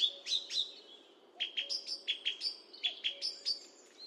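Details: Song thrush in song, recorded with a high definition microphone: short clear whistled notes repeated in a fast, regular series, several times over, above a faint low hum.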